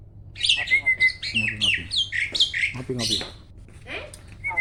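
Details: Farm-kept starling bred for song contests delivers loud, fast phrases of downslurred whistles and rasping notes, with a lower harsh element underneath and a final level whistle.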